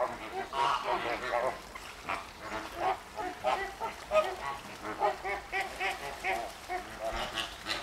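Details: Flamingos at the Llanelli Wetland Centre in Wales, 21 August 2021: a noisy flock gives overlapping nasal, goose-like honks in quick, irregular bursts, several birds calling at once.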